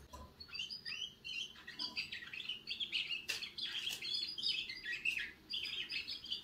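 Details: Young canary starting to sing: soft, jumbled twittering and warbled high notes in irregular short phrases, quiet against a faint background hiss.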